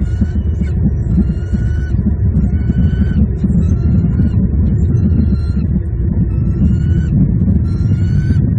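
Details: Bald eagles call at a Southwest Florida nest on 24 November 2021, while the male brings fluff and sticks to the incubating female. Rising whistled notes come roughly every second, partly masked by heavy low wind noise.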